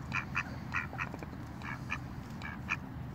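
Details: Female mallard, one of a pair gathered for food, quibbling to warn away duck intruders insistent on snacks: a run of short, nasal, raspy quacks about every half second, over a low steady rumble.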